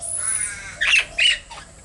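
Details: Baby Princess parrots in a cage, recorded December 17, 2017, now starting to nibble sprouted seed and vegetables: a steady harmonic tone, then two harsh, broadband rasping squawks close together.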